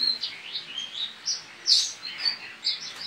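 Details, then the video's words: Competition white-eye from West Kalimantan, Indonesia, kept caged, delivers fast, varied, high-pitched twittering, with thin whistled notes and louder, buzzier bursts near the middle and end. "LOMBA PLECI ONLINE 23 - Aksi Pleci"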